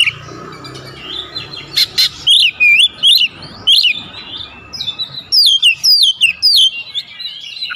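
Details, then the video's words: Oriental magpie-robin (kacer) singing full isian with calling tones: sharp clicks, then twisting whistled phrases and clear, descending slurred whistles over a low background hum. "Masteran Burung Kacer Full Isian Dengan Nada Panggilan 100% Nyaut"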